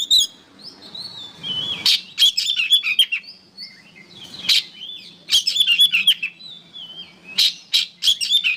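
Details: Oriental magpie-robin song used as training material for songbirds. Busy warbled phrases of rising and falling whistles are broken by sharp, rasping chips in quick, irregular succession.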